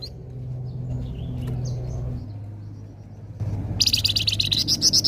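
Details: Scarlet minivet in full song, played to attract other birds: soft scattered chirps, then a loud burst of fast, buzzy, high-pitched pulses, over a constant low hum.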